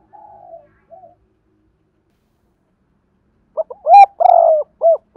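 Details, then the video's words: Spotted dove call sequence mixing sa thúc, gù and gáy, used to lure wild doves. Two faint, soft coos are followed by a pause. Then comes a loud run of short, hollow hoots around one drawn-out coo, repeated several times. "Tiếng cu gáy cườm sa thúc + gù + gáy gọi kích bổi hiệu quả"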